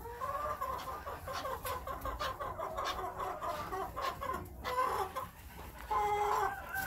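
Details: Several captive-raised Chukar partridges (Alectoris chukar), a batch kept for breeding next spring, cluck steadily: overlapping harsh, nasal chuck notes at a quick, uneven pace over a low background rumble.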